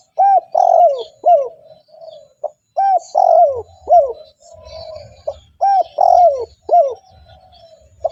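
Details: A spotted dove coos to draw in wild doves: clear hooked notes, three per phrase, each phrase ending in a low, fading purr, then a short gap before the next. Light chirping from other birds overhead.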